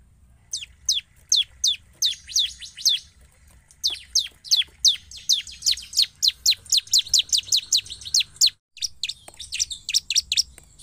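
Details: Bar-winged prinia lure recording, meant to draw responses from other prinias, gives a rapid series of high, sharp downslurred chips, about three per second, in repeated bursts with brief pauses.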